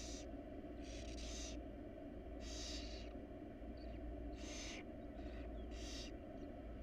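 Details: Barn owls, a wild family using a monitored nest box. Loud, breathy screeching hisses last up to half a second and repeat every second or so. A constant droning hum fills the background.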